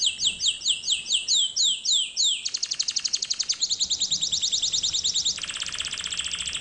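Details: Canary song offered as a training lesson for canaries: a run of looping swept whistles descending in pitch, then a fast buzzy trill, a rolling rattle and a steady high churring tour, all clean and close.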